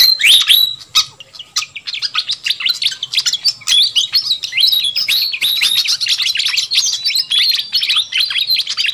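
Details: Noisy fantail flycatcher lure meant to entice wild birds: a busy stream of high chattering chirps and ticks, rapid and unbroken, with a few clear whistled notes at the start.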